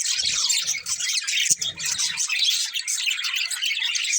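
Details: Several budgerigars chirping together, a dense continuous chatter of high, scratchy twitters and squawks without pauses, with a few faint low thumps near the middle.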